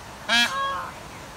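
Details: Female Indian peafowl giving one short, harsh, nasal honk with rich harmonics, lasting under a quarter second and trailing off into a softer tail, over steady low background hum.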